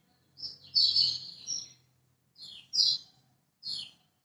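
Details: Lemon-bellied white-eye from Lombok, recorded as a master song to coax silent birds into singing: a high, sweet warbled phrase followed by two short, bright chirped notes.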